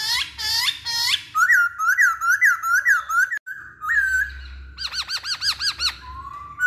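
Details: Masked laughingthrush song used as a lure to get other birds to sing: harsh, harmonic-rich opening notes, then a run of looping whistled phrases, a short pause, and a fast chattering series of rising-and-falling notes.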